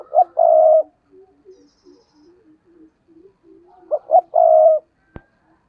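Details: Spotted dove used as a decoy to lure wild doves, singing the urging coo style: two bursts of loud, rough, pulsed coos with a long held note, soft low grunting notes in between, ending with a sharp click.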